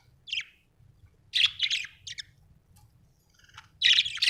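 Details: Budgerigar chirping: short bright chirps in separate bursts, a lone note, then a cluster of rapid warbled notes and a final busy burst of chirps with quiet gaps between.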